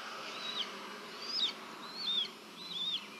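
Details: A leucistic Red-tailed hawk in Tennessee, around a nest where a young bird is fed, gives four thin, high whistles bending down at the end about every 0.8 seconds over soft steady hiss, 18 June 2023.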